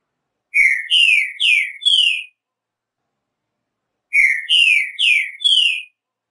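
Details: Green-winged saltator singing one song variation twice: four rich, slurred whistled phrases, each falling in pitch, delivered over about two seconds, then repeated after a pause of nearly two seconds. Quiet background.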